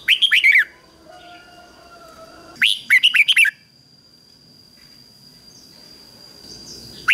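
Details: Red-whiskered bulbul decoy bird singing to lure wild bulbuls: two loud bursts of five or six rapid whistled, warbling notes dropping in pitch, separated by a two-second pause, with a steady high electronic whine throughout.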